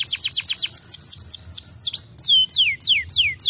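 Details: Canary singing, used to prompt other birds to sing: rapid series of bright, high whistles, each falling steeply in pitch, repeated several times a second with a few short pauses.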